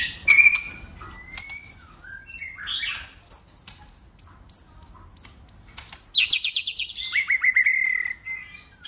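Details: White-rumped shama in fighting song: a steady series of short, high, pure piping notes repeated about three times a second, then a burst of rapid descending trilled notes and whistles.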